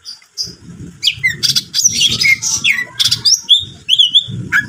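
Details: Cucak ijo singing energetically in a lively, provoking manner: a fast medley of high whistled slurs, sharp chirps and buzzy trills, with a low rumbling background noise underneath much of the phrase.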